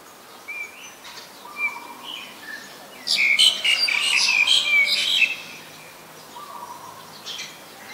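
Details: Black-collared starling (Black-collared myna), Gracupica nigricollis, recorded in Ubon Ratchathani, Thailand, on 25 December 2019: soft scattered notes, then a loud burst of harsh, squeaky, chattering calls lasting about two seconds, fading to sparse quiet notes.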